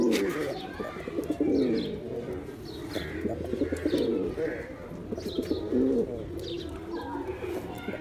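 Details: Several male pigeons coo in layered, murmuring rolls, louder swells every couple of seconds, with soft background voices.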